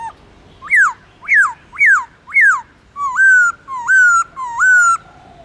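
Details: Black-throated laughingthrush singing a forest-style song with long drawn-out phrases: four loud falling whistled notes, then four longer level whistles, each about half a second, clear and musical.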